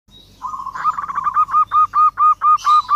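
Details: Local zebra dove calling vigorously to challenge a rival: a steady tone opens, then about ten loud, evenly spaced clipped notes follow in a quickening rhythm.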